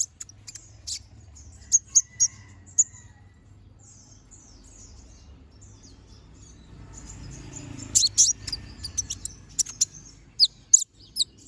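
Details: Brown-throated sunbird, locally konin, in ngobra-style song: a few sharp high chips early, a long quiet stretch with faint high twittering, then a renewed burst of piercing chips and short trills.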